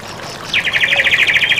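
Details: White-rumped shama (murai batu) in a masteran training recording: a fast rattling trill of about fifteen even, bright notes held near one pitch for roughly a second.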